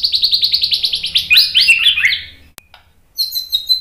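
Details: White-rumped shama song used as training material: a fast series of about twelve clipped, high notes slides into fuller whistled phrases, then a short pause and a bright high trill.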